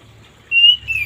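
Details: An orange-headed thrush whistles in the morning, meant as therapy for thrushes reluctant to sing: one sustained clear note, then a brief falling whistle.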